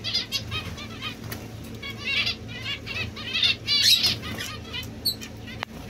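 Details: Domestic society finch (Lonchura striata domestica) singing a run of quick, buzzy, high twittering phrases in repeated bursts, mixed with fluttering wings, rustling and a sharp click near the end.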